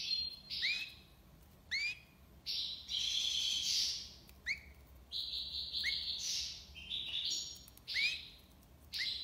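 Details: European goldfinch singing the style called tiwawati libassad: many sharp rising whistles mixed with rich buzzy twittering runs, a long dense warble near the start, delivered in quick irregular bursts.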